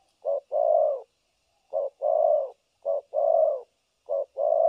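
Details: Spotted dove decoy for trapping, recorded 3 December 2022, cooing continuously in the thổ cấn sấm nước style. Four clean pairs of a clipped note and a longer mellow coo, evenly spaced.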